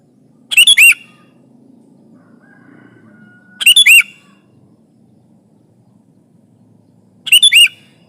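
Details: Chatty sooty-headed bulbul pressing a rival, a lure for trapping both noisy and quiet birds. Three rapid bubbly phrases of four fast chirping notes each, about three seconds apart, over a low steady rumble.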